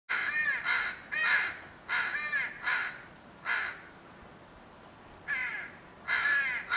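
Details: Crow fledgling crying and cawing at its father, probably over food; harsh, hoarse caws in short bursts, mostly paired, with pauses between groups.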